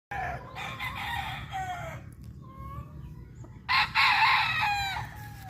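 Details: Cyborg Grey rooster crowing twice: a loud, harsh, multi-part cock-a-doodle-doo, a pause with a faint drawn-out note, then a second strong crow, over a low steady background hum.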